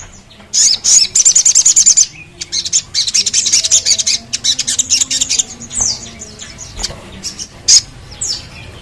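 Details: A sogon, played to stimulate other sogons to sing, gives bursts of rapid, very high, thin chirps and twitters, about three per second, in quick runs broken by short pauses.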